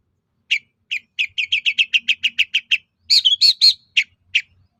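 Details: Lure song of a long-tailed shrike, used to goad other shrikes into answering: a steady series of about fourteen short, chirpy notes that speed up, followed by louder, fuller chattering notes and two spaced chirps.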